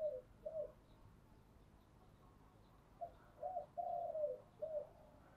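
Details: Faraway spotted dove, 'giọng thổ' song: short low coos, a pause, then a run of coos and a longer falling note, quiet over steady background noise.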